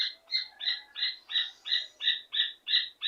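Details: Rufous hornero singing while calling a female: a rapid run of loud, ringing, piping notes repeated about three times per second at an even pace, each note a bright two-tone chirp.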